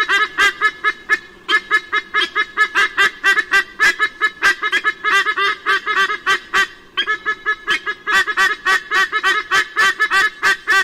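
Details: Near Sydney, Australia, on 16 October 2018, white-bellied sea eagle parents drive intruders from their nest: steady runs of harsh, nasal honks in quick regular bursts, several notes per second, with short pauses between series.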